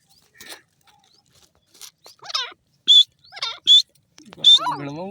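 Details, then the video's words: Grey francolin calling with loud, sharp high notes repeated in a quick uneven series, mixed with fainter chirps and a lower harmonic sound at the end. "dakhni teetar ki awaaz,lovely gora teetar bird sound"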